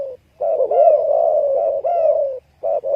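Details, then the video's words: Spotted dove producing long drawn-out mellow coos with slight wavering, two sustained notes joined closely, ending with short clipped coos. "spotted dove sound"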